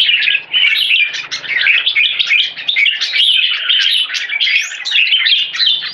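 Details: Red-whiskered bulbul one-stroke song leading into keke. Dense, lively warbling of chirpy whistled notes runs almost without a break.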